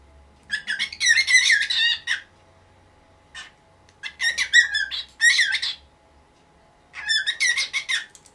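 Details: Morning racket from a pet cockatiel in its nineteenth year, asking for its cage cover to come off: three long bouts of loud, rasping screeches with one short squawk between them and a faint hum underneath.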